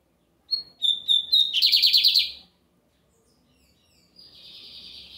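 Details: A lined seedeater sings often on a Sunday. It gives whistled notes and a fast buzzy trill, then a pause, and then a softer, fainter buzzy phrase begins.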